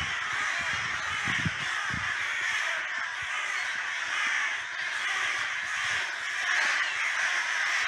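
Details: Many crows attacking a buzzard in a cemetery, pecking and chasing it off: unbroken mass of raspy, aggressive cawing from several birds at once, a few low thumps near the start, little background noise.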